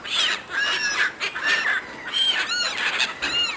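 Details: Seagulls squabbling over food handed out by a person: several birds give harsh, arched, downslurred squeals in quick overlapping bursts, a noisy flock chorus throughout.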